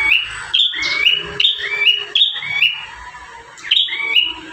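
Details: Bar-winged prinia in lively song, one of five variations used to train caged birds: repeated thin, rising whistled phrases that sweep upward and end in a flat tone, delivered almost continuously.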